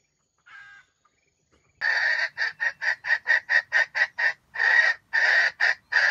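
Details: Bait red junglefowl in a wild chicken trap gives a stuttering crow that sounds like grinding: a soft note, then a rapid run of about a dozen harsh, buzzy bursts with brief gaps between them.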